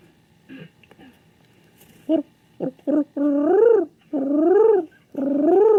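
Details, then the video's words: Male king pigeon in a room, looking for another pigeon, starts with short clipped notes, then three long, pulsating coos that rise and fall, roughly one every second. "SOUND OF A KING PIGEON"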